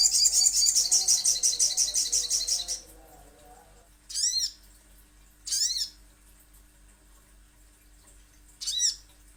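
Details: A little spiderhunter opens with nearly three seconds of rapid, high chattering chips, then gives three separate arched notes with a downward-sweeping tail, spaced over several seconds.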